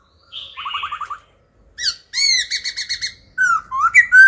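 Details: Wild-caught old laughingthrush kept to train young birds, rapidly changing song: a short rattling trill, then a burst of bright repeated chirps and swooping whistled notes that end the phrase loudly.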